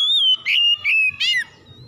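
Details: Lure song of an oriental magpie-robin, meant to provoke other magpie-robins to sing: a sustained pure whistle, then three loud, clear notes that bend and fall in pitch, ending abruptly with quiet background.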